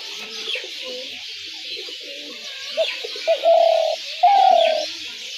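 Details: Spotted dove, recorded as a dove-trap lure sound. Quiet mixed murmurs first, then two short coos and two prolonged low vibrating coos near the end, over continuous hiss.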